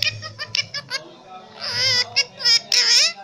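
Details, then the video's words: Pet Indian ringneck parakeet, a rescue bird, chatters in quick nasal bursts, then gives two longer, buzzy, speech-like phrases, high and wavering, in a small quiet room. "Cute indian ringneck parrot Kittu | Kittu Ki Boli"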